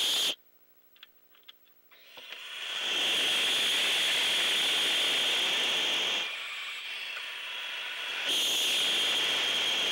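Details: An owl gives a long, harsh, breathy hiss that runs steadily for about eight seconds and dips briefly midway, after a few faint clicks; heard at night near owlets awaiting food and thought to be a defensive hiss, perhaps at an interloper.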